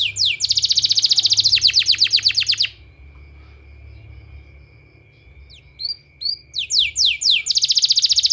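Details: Canary song used as a therapy sound for training canaries: fast trills of rapid repeated high notes, a pause with a steady faint tone, then scattered upswept chirps building back into quick trills.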